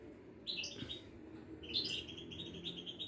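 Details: Caged European goldfinch of the Moroccan Widani type, described with birds at a Casablanca bird market. Its song is fairly faint: short high twittering notes and a few level whistled phrases, with low room hum beneath.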